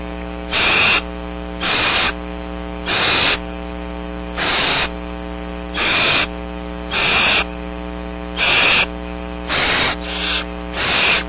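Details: Barn owl owlets at Starr Ranch, seven downy young in the nest on a rainy March 6th, 2010, waiting for food: harsh broadband hissing bursts about half a second long, repeated roughly every 1.2 seconds, nine in all, over a steady electrical hum.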